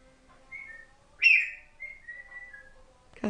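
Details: Pet African grey parrot, a female under a year old, chatting away with her owner: thin level whistled notes, one loud rising sweep in the middle, more steady whistles, and a brief noisy burst at the end.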